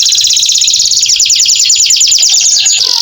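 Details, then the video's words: Canary performing long 'gacor' song, used as a stimulus for canaries that have gone quiet after molting. A continuous, rapid, buzzy high trill of tightly packed notes runs throughout and ends with a short falling note. "KENARI GACOR PANJANG cocok buat TERAPI KENARI MACET BUNYI"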